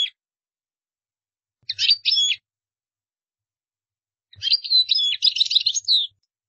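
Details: European goldfinch singing for other birds to copy: a short twittered fragment, a long silence, then a fuller run of bright, jangling, fast-changing notes lasting nearly two seconds. Quiet surroundings.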